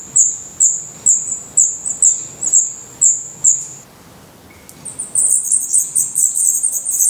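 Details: Black redstart chicks in a Portuguese nest, eyes open and feathers coming in, beg with sharp high squeaky notes about twice a second, then a brief pause, then a denser run of thin calls.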